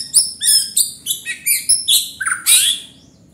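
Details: White-rumped shama in vigorous (gacor) song: a quick series of clear high whistled notes, roughly three per second, closing with a fuller burry phrase before fading out.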